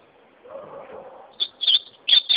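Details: Ultramarine grosbeak singing: after a soft low murmur, three short bursts of high, sharp, slurred notes break in, the last pair running together into a brief phrase.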